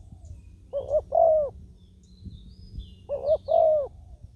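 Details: Spotted dove used as a decoy on the ground to lure wild doves, still fighting after being caught. Gives two low cooing phrases, each a short note followed by a longer, descending coo, about two and a half seconds apart.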